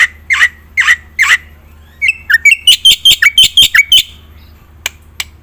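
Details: Black-winged myna singing in the energetic gacor full isian style, used to prompt silent birds to sing: three harsh squawky notes, then a quick run of sharp metallic notes with drooping slurs, ending in two clicks.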